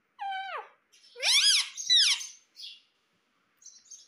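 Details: Talking Indian ringneck parakeet kept as a pet in India: a falling whistled squeak, then two loud, harsh, arching screeches in quick succession, followed by faint chatter in a quiet room.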